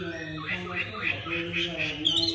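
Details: A newly arrived caged Chinese hwamei, noted for its supple voice, sings while turning its rump: a rapid run of bright, slurred whistled notes, about three per second, ending in a higher flourish, over a steady low hum.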